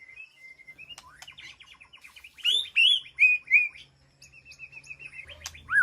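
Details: White-rumped shama communicating with its flock in a peaceful aviary sanctuary: a thin sustained whistle, then rapid chattering notes and loud swooping whistled phrases, ending in a falling slurred whistle.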